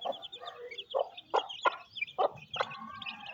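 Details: Mother hen feeding her chicks on a rainy day in a Pakistani village: low, short clucks repeated irregularly, overlaid by a steady stream of high, thin chick peeps.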